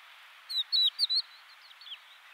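Crested lark singing a quick run of four clear, sliding whistled notes, followed by softer fading twitters over light background hiss.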